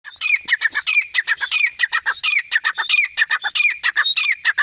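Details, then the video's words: Teetar, or francolin, calling in a loud, rapid run of harsh squawky notes, repeated without pause throughout, each note rough and ringing. "teetar voice. francolin voice."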